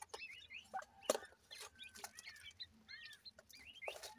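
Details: Partridge chicks playing: a run of quick, high, arched peeps and twitters from several young birds, broken by loud tapping clicks.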